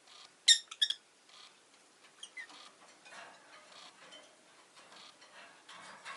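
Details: A quick burst of loud, high, ringing chirps from a rosy-faced lovebird, then a long stretch of quieter, scratchy twittering notes.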